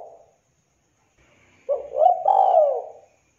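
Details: Mastered recording of an actively calling spotted dove (tekukur): the tail of a coo, a silence, then a full phrase of a short rising note running into a long, thick, gently descending coo.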